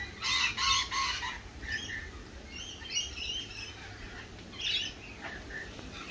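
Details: Lorikeets squawking at a cafe, opening with a loud cluster of grating screeches, then softer broken chatter and a final burst near the five-second mark, with a low hum behind.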